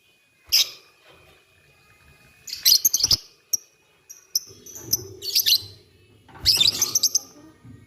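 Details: Lovebirds answering each other at morning, a sharp raspy chirp, then a pause, then clusters of buzzy, squeaky high chatter, with some low background noise in the later part.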